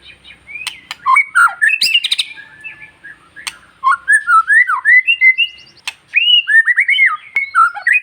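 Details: Long-tailed white-rumped shama song played to rouse other shamas: clicks and squeaky notes followed by mellow, looping whistled phrases that rise and fall, coming in quick sequences.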